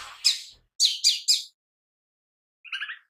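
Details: Lesser green leafbird giving gacor chatter, used as a lure and tutor for birds: a burst of bright high chirps, three quick sharp notes near 0.8 seconds, then a softer, lower triple warble after a pause.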